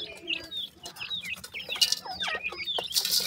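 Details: Grey francolin chicks, several together, give clear, high, down-slurred peeps in close sequence. Two harsh noise bursts interrupt them.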